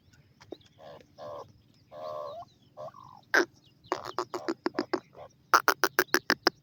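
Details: Female Iranian partridge with her chicks at feeding time: low, nasal, drawn-out notes first, then a quick run of sharp, clipped clicks repeated several times a second and growing louder, with a faint hum beneath.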